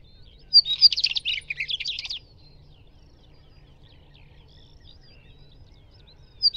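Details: Northern wheatear delivering one dense, chattering, scratchy warble of about one and a half seconds, followed by a long quiet stretch over low rumble and a single high note at the end.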